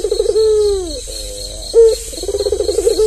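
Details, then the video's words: Albino white dove with red eyes, tame, used as a lure for doves that are reluctant to call: low hollow cooing with a trilled rolling start, a long falling note and a sharper accented coo, over a steady high insect hiss. "Suara puter kombinasi puter terbaik"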